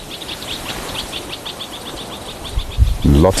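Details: Several bird species alarm-calling at sunset in Rietspruit Game Reserve, South African Lowveld, 11 February 2024, with rapid, high chipping notes over a low rumble. The guide suspects a snake, not a cat. A man speaks at the end.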